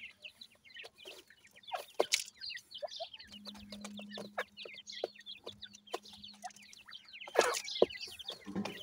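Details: Chicks of grey francolin peep constantly while feeding, with many quick descending chirps close together and frequent clicking, plus a steady low hum through the middle of the recording.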